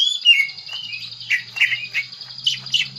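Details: Green leafbird lure song, played to coax a bird into singing its repertoire: a rapid jumble of short chirps, slurred whistles and warbled notes, run together without pause over a faint low hum.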